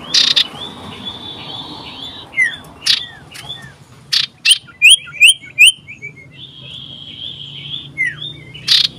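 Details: Common iora calling loudly, seeking a rival, 27 December 2022: harsh bursts, a flat trilled phrase, then a quick run of five sharp downslurred notes and another steady trill.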